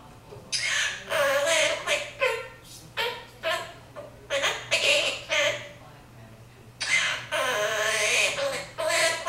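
A monk parakeet talks in short raspy bursts of parrot speech, several word-like phrases run together with brief pauses and a steady low hum behind.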